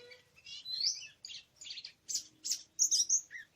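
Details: On 24 March 2017 in wild forest, during bird trapping, an Oriental magpie-robin delivers a varied phrase of buzzy warbles, chirps and a bright trilled whistle near the end, with short gaps between bursts.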